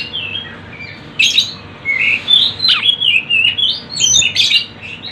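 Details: On a tledekan gunung (Sunda bush warbler) lure recording, bright high chirps and slurred whistles come in quick irregular phrases after a quiet opening, with a loud harsh burst near the end.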